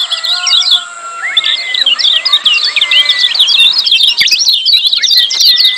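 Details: Lemon-bellied white-eye giving noisy 'ciak' calls to encourage mute birds to sing: a softer start building into dense, rapid high twitters, with a few flat whistles running underneath.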